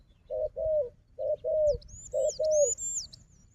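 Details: Wild dove fighting a decoy bird: three pairs of low coos, short then drawn-out, evenly spaced, while another bird adds high sliding whistles above.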